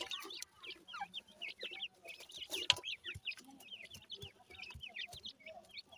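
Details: Bred grey francolin chicks in Punjab chirp constantly: quick, high, slurred peeps, each dipping then rising, tumbling over one another several times a second, with occasional sharp clicks and taps underneath.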